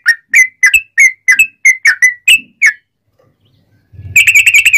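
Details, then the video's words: Sooty-headed bulbul that starts singing as soon as it opens its beak, in loud, continuous song for training other bulbuls. About ten crisp whistled notes, a silent gap, then a rapid, even trill. "Kicau Trucuk Buka Paruh Langsung Nguplik Nyambung Ngalas Ropelan Nyaring cucak Rowo'an"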